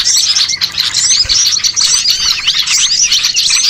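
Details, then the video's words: Flock of small birds calling as a trapping lure: nonstop bright chips and fast trills layered over one another, steady in loudness throughout. "MP3 PIKAT BURCIL AMPUH BIKIN PANEN BANYAK BURUNG"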